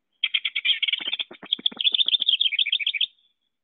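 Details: A House Wren in Wisconsin sings one fast, bubbly burst of about three seconds: stuttering notes tumbling into a jumbled, descending cascade of high chatter.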